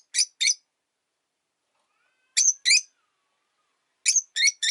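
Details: Rosy-faced lovebird kept alone in a cage after its mate died: three short clusters of two or three shrill, harsh chirps separated by silent gaps of about two seconds, with a faint low hum in between.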